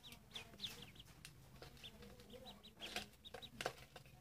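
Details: Silly ducklings chirping: a steady run of high, thin peeps falling slightly in pitch, repeated every fraction of a second, with light tapping and clicking noises around them.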